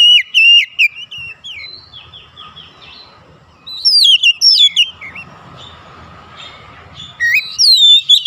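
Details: Oriental magpie-robins calling and answering each other. Loud, fluid whistled phrases with swooping and wavering notes come in three bouts, separated by quieter background warbling.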